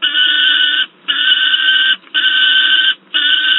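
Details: Loud young peregrine falcon at Wałbrzych, Poland, 10 August 2022, producing long raspy screams nearly a second each, about four in a row separated by brief pauses.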